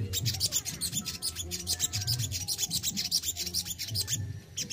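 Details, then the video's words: Kept sogon singing in the besetan and tembakan styles: rapid bursts of sharp, high chirping notes repeated about twice per second across the clip, over a steady low hum. "SOGON ISTIMEWA ,BESETAN DAN TEMBAKANYA WOW BANGET"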